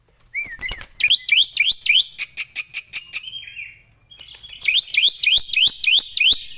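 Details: Starling song meant as master training sound for other birds: a soft whistle, then strings of sharp rising-and-falling chirps in fast sequence, a quiet gap with a thin whistle, and another run of bright notes.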